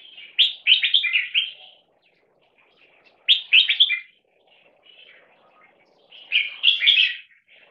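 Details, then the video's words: Caged 1.5-year-old crossbred bulbul, 75% Red-whiskered and Stripe-throated Bulbul from competition lines, sings in a loudness test. Three bursts of rich, chattering, warbled notes arrive about every three seconds, with soft quiet notes between them. "Loudness test"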